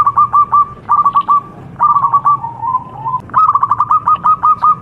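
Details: Contest-style song of a local zebra dove, a lure recording meant to set other birds singing: bursts of rapid clipped coos, then a drawn-out wavering phrase, then a long steady string of crisp repeated notes.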